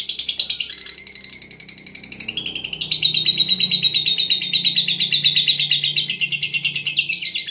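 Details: A lovebird from Brebes, Indonesia, delivers a sustained, shrill, buzzy trill of fast repeated notes that rises and levels off, continuing without pause; a faint low hum sits underneath.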